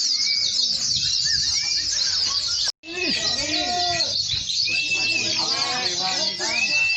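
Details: White-eyes singing together at a pleci competition launch in Boja, Kendal, with a steady wall of shrill, fast chattering warbles from many birds, a brief silent break, and nearby speech with rising and falling human whistles.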